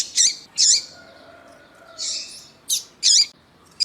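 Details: Double-collared seedeater (coleiro tui-tui, Sporophila caerulescens) recording of a male with a female calling, used to stimulate captive males: six short, harsh, high notes at uneven half-second intervals over a faint whistled tone.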